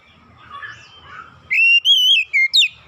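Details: Oriental magpie-robin lure song for getting hard-to-start young birds singing: after a faint murmur, one short loud phrase of pure whistled notes, a steady tone then a quick downward slide and a rising flourish.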